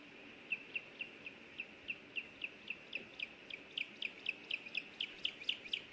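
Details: Osprey at a nest in Hellgate Canyon, Missoula, Montana, on 24 May 2024, picked up by a nest camera as the male brings in a small fish and the female wants a bite. Sharp whistled chirps repeat about twice a second and grow louder, with steady background hiss.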